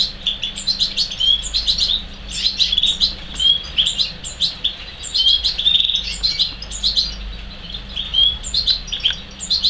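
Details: Two young captive-bred European serins, third generation from a captive-bred pair: a continuous busy stream of high, thin chirps and jingling buzzy trills, dense and overlapping, with short lulls.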